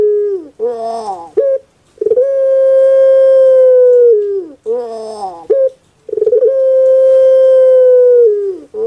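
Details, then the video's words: Puter pelung dove kept in Indonesia, voice rendered as 'kuk gerukkk kwokkk': two full cycles of throaty gurgle, short sharp note and long smooth hoot that fades downward. "PUTER PELUNG SUARA EMPUK"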